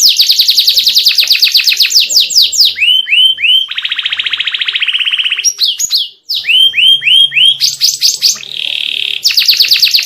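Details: Canary song with ornate turns, said to make other canaries agitated: fast descending sweeps, looping curled notes, a sustained buzzy roll, brief pauses, then more curled notes and rapid trills.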